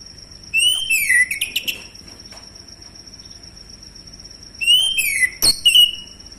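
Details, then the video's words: Male orange-headed thrush singing, used as a lure to set other birds singing: two bursts of fluty descending whistles with squeaky overtones, separated by a three-second gap, a steady high whine running throughout. "ANIS MACET langsung bunyi Anis merah jantan"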